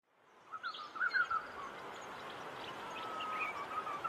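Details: Southern African Black cuckoo (Cuculus clamosus) giving a brief run of slurred, mournful mid-pitched whistles, with a steady thin whine and scattered higher chirps from other birds behind it.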